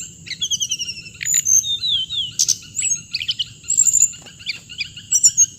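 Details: Steady rhythm of short high chirps from a hồng hạnh bird, broken by thin slurred whistles and quick twitters, over a faint constant high hum.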